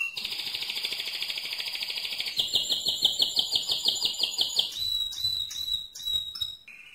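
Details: Mosaic canary singing loudly: rapid buzzy trills repeated about three times a second, shifting to a higher pulsed trill, then a sustained whistled note and short chirps.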